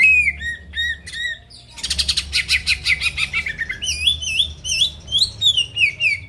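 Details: Singing greater green leafbird (cucak ijo), played to make rivals start singing: looping whistled notes, a long buzzy chattering trill, then a string of rolling, wavering whistles.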